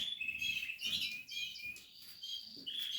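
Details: Nesting chicks of Portuguese harlequin canary, captive-bred: quick high tweets and short whistled notes tumbling over each other in a dense, continuous twitter.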